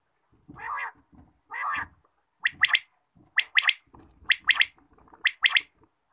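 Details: Quail call heard in the morning: two drawn-out raspy, hoarse bursts open the sequence, followed by four quick ringing phrases of one short note and a tight double note, about one per second.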